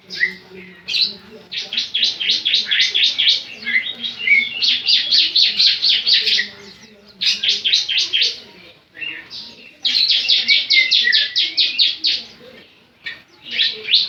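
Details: Javan sun-bird in semi-gacor singing, delivering long rapid trains of high, sharp chirps in bursts of several seconds separated by brief pauses, with faint low murmuring behind.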